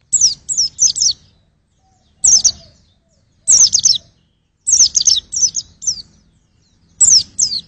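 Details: White-eye singing in short bursts of very high, rapid, descending chirped notes, three to six per phrase, phrases separated by pauses of about a second; faint low rumble underneath.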